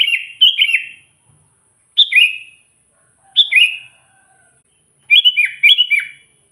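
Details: Sooty-headed bulbul calling to wild rivals: liquid downslurred whistled chirps in short phrases, with a double-phrase burst at the end.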